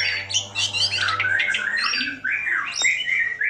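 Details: Javan pied starling singing energetically, used as a bait recording to get quiet birds to sing; harsh squawking and screechy notes that rise and fall in quick succession, over a steady low electrical hum.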